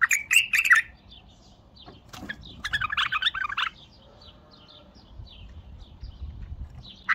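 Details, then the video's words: Bulbul song, described as a strongest song to play: rich warbled bursts of notes in the mid range, one at the start and another about three seconds in, with soft scattered chirps between and a final note at the end. "اقوه تغريده بلبل تمر"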